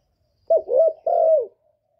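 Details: Spotted dove in the thổ voice style, recorded without background noise to stimulate newly kept males. A brief fragment: a short note running into a mellow coo, then one longer level coo that drops at its end.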